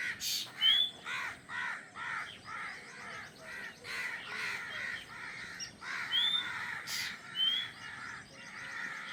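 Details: Newly hatched drongo nestlings in the nest waiting for their mother to bring food; repeated harsh, rasping begging notes in rhythmic bursts, with a few short whistled upslurs from an adult.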